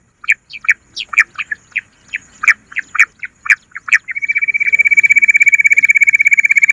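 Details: Bush quail lure sound: about a dozen separate sharp, whistled chirps spaced roughly a third of a second apart, then a steady, fast, even trill.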